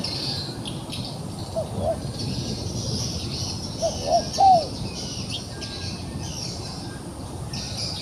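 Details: Trapped wild pigeon that still dares to fight: a pair of soft low coos, then a pause, then a run of three rounded notes rising in loudness, against constant shrill insect buzz.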